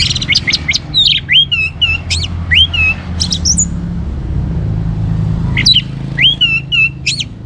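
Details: Orange-headed thrush in full, active song, used to prompt other birds into loud singing: varied high whistled phrases with swooping, slurred notes and quick chirps in bursts, over a steady low rumbling hum.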